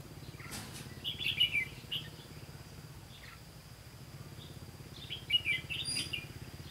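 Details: Bulbul trapping on 18 September 2016: a red-whiskered bulbul delivers a cluster of sweet, slurred chirps. After a quiet gap a second similar phrase follows, with a faint steady hum underneath.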